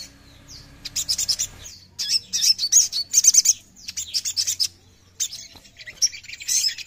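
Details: Oriental magpie-robin song, played so that any listening magpie-robin will start singing at once: bursts of high, sharp chirps and quick twittering notes in short clusters separated by brief pauses, with a few rapid ticking runs.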